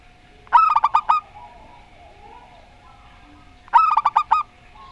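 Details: Rondo Semoyo style zebra dove, a local bird, sings two rapid rolling phrases of about six rounded coos, spaced three seconds apart, with quiet hum between them.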